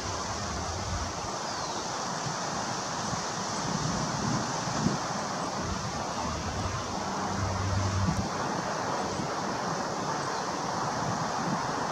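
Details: Steady wind and surf-like rushing noise with low rumble fills the recording, with no clear animal sound.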